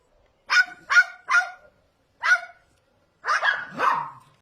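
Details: Tame cockatoo parrot copying dog barks: four separate sharp, rasping bark-like yelps about half a second apart, a pause, then a longer, hoarser double bark.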